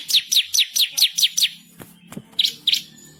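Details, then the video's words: Energetic bar-winged prinia tutor song, fierce and insistent, with rolling and sharp shooting phrases: a steady run of about eight high, downward-slurred chirps about five per second, a short gap with clicks, then two more chirps. "burung MASTERAN ciblek kristal gacor // ngamuk ngotot ngerol nembak pedas"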